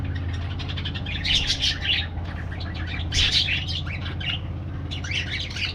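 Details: Parakeets in an aviary giving bursts of scratchy, chattering calls, with a louder cluster near the start and another midway, then a shorter flurry near the end, over a steady low hum.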